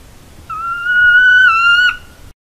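A Northern Saw-whet Owl gives a single drawn-out, nasal whine, held steady for about a second and a half before breaking off sharply; nothing else is heard.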